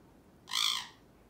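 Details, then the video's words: A male pet Alexandrine parakeet gives a single harsh, raspy squawk lasting about a third of a second, loud and high-pitched against a quiet background. "Alexandrine singing and making sounds"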